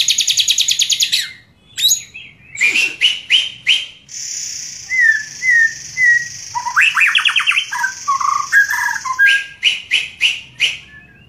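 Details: Lovebird song: loud bursts of rapid chirps, short upslurred whistles and fast buzzy trills alternating with a long sustained high hiss, in a dense, varied, energetic sequence with little background noise.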